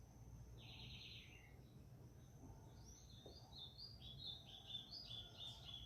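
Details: Double-collared seedeater (coleiro) at a singing tournament; a buzzy trilled note opens, then after a pause a quick run of short high whistled and chirped phrases, steady low background rumble.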